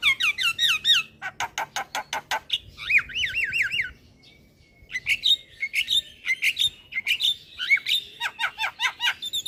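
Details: Black-winged myna song meant as a lure for young birds: wavering whistled trills, rapid ticking bursts and harsh chatter, a short pause, then more squeaky whistles and rasps.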